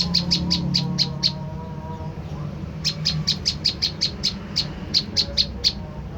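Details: High, dry chipping of an olive-backed tailorbird, a provocation lure: a run of six fast notes, a gap of over a second, then a long train of roughly thirteen sharp notes, over low droning noise.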